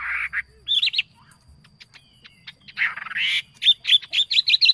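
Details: A decoy bird called the yellow phua sings a rich warbled phrase, pauses with scattered clicks, then adds a rising whistled run and a quick series of short chirping notes.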